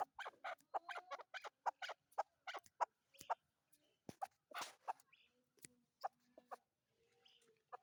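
A chukar partridge gives rapid, harsh clucking notes in quick bursts, several per second, pausing briefly before starting again.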